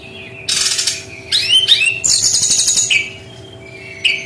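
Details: Brown-chested jungle flycatcher in 'tembakan' style: harsh buzzy bursts mixed with quick upslurred whistles and a long grating rattle, then softer short notes.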